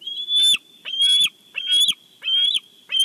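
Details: At a Big Bear nest watched by a live camera, a bald eagle calls as fish arrives: five loud, high, slightly rising chirps spaced roughly two-thirds of a second apart.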